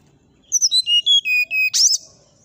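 A brown-chested jungle flycatcher sings a quick run of about seven pure, flute-like whistles stepping down in pitch, ending in one harsh, scratchy note. The background is quiet.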